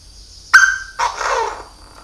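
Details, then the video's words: Decoy Chinese francolin calling very loudly: a sharp, loud note at the start, then a harsh, rough burst that fades over about a second. The background is otherwise quiet. "Đa Đa Mồi Gáy cực to cực bạo"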